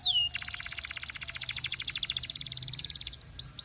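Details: Belgian canary delivering a fast, even, buzzy trill of rapidly repeated notes lasting several seconds, bracketed by brief high whistled swoops.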